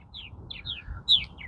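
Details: Purple Martins at a gourd colony on April 18th, arriving later than usual; a few short, bright, down-slurred chirps in quick succession, the last one loudest, over a low rumble of background noise.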